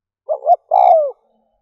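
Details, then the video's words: Decoy spotted dove calling to stir up wild doves: a single low phrase of two brief hooting coos, then a sustained coo sliding downward at the end, in a quiet setting. "Cu mồi kèm || Tiếng chim cu gáy kích bổi nhanh nổi"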